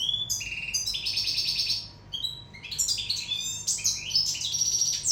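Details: Courting Sicilian goldfinch pours out dense, tinkling, high-pitched twitters and buzzy chatter with one brief pause, against a faint background hum.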